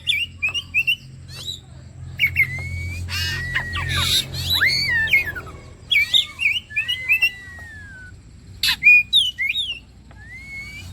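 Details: Kacer (Oriental magpie-robin) bait recording for prompting song: sweet looping whistles and short warbles alternate with harsh rattling bursts, ending in a long clear upslurred whistle.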